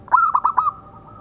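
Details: A local zebra dove gives a single soft cooing phrase meant for tutoring other doves: a short burst of three or four hollow, mellow notes ending in a slightly longer, level tone.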